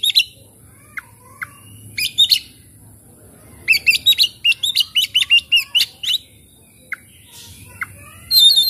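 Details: Oriental magpie-robin played to spur a stressed, silent bird into singing: scattered thin high notes, then a long sequence of rhythmic, sharply modulated chirps and whistles, and a final loud burst, over a faint constant high hiss.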